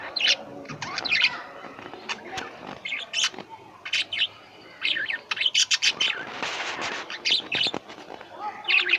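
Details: Pet lovebirds calling, several birds together: dense bursts of sharp, high chirps and squeaky twitters in quick clusters, with short pauses between volleys.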